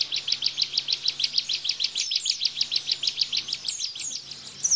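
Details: Bar-winged prinia giving a 'tembakan' burst song, played to tutor caged white-eyes: a steady run of sharp high chirps, about five each second, with a few thin downslurred whistles near the end and a faint low hum.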